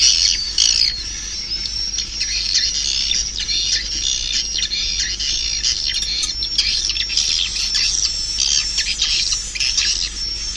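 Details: Swiftlet calls: a dense, continuous chorus of high, thin chirps and squeaky twitters, with a steady high whine running underneath throughout.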